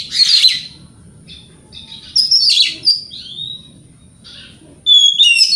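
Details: Morning song of a white-rumped shama used to goad rival birds into answering; bright harsh bursts, sliding whistled notes and crisp chips separated by brief quiet gaps.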